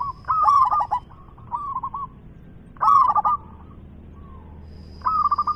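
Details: Loud local zebra dove singing: three strong phrases of rapid, stuttered coos, each followed by a softer short trill, roughly every two and a half seconds over a quiet background with a faint high whine.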